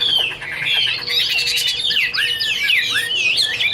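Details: Chinese hwamei (Garrulax canorus), 2016: a dense, rich run of high whistled phrases, slurred notes sweeping up and down and tumbling into one another in an unbroken, varied stream.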